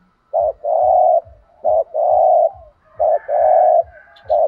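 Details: Spotted dove singing in the thổ đồng voice style with thúc gù cooing: short coo followed by a long level hooting note, repeated three times at an even pace, with faint low ticking underneath.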